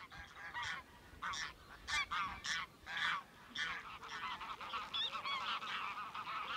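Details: Greylag geese crossing fields at Haigsfield, Birgham, across the River Tweed from England; loud grating honks in quick succession, then a denser chorus of many geese calling together.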